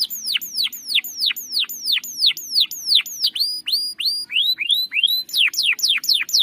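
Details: Canary singing a long rolling song, meant to coax a bird that has stopped singing: a steady series of clear, sharply descending whistled sweeps, about three per second, shifting pitch partway through, on a quiet background.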